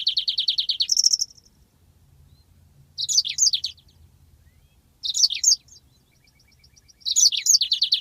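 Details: Song of a yellow-fronted canary, a master for training birds: short bursts roughly every two seconds, each with slurred high notes and a fast buzzy rolling trill, with a faint low hum between.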